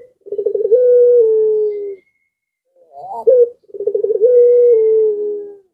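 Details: Pelung-style Barbary dove in breeding condition, cooing and drawing other doves nearby into calling: two long coos, each opening with a fast stuttering roll and then a steady, slightly falling drawn-out tone, with a short rising note between them.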